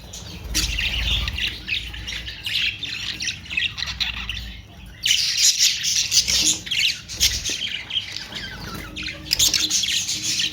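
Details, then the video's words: Budgerigars warble and squawk in long raspy bursts with a short lull near the middle, then a louder wave of overlapping chattering calls. "Austrailian perrot beautiful sound"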